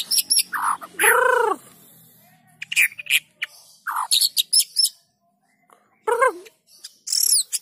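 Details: Shama song meant to trigger singing in other white-rumped shamas: a loud downward-arched harmonic note, scattered chirps, high metallic notes, then a brief silence before more arched calls.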